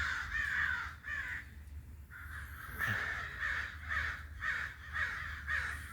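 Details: Crow calling with a run of harsh, hoarse caws, roughly two per second, each a broad rasping burst with a slightly falling tone, steady low hum underneath.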